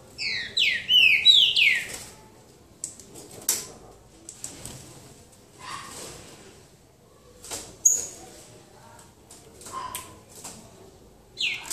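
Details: A green-winged saltator sings a boca mole phrase in a duel at João Monlevade: a rapid run of bright, downward-sweeping whistles at the start, followed by sparse clicks and soft knocks.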